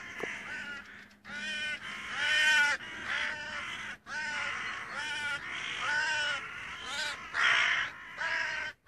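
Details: A crow recorded on 25 June 2017 gives a long series of harsh, nasal caws about a second each, some closely paired, with short gaps between them.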